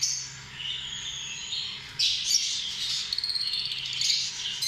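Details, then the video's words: Lovebird calls begin with a thin drawn-out whistle and softer chirps, then break into louder harsh chatter and rapid squeaks in the second half. "Amazing sound of love birds"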